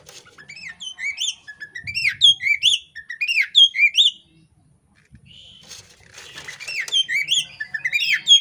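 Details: Female kacer poci, an Oriental magpie-robin in breeding condition, spreading her tail as she calls: looping, rising whistled notes in quick series, a pause near the middle, then more whistles over faint low background rumble.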